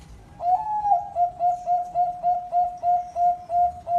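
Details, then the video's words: Caged zebra dove singing in a ring competition setting: one drawn-out mellow coo, then short soft hooting notes repeated about three times a second at a steady mid pitch, with faint background hiss. "Suara Perkutut Berkualitas Lomba Ring"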